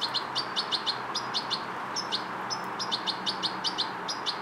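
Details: European goldfinch fledgling, learning coordination, utters bright, high chips in pairs and short runs, with one rising squeaky note, over a low steady hum.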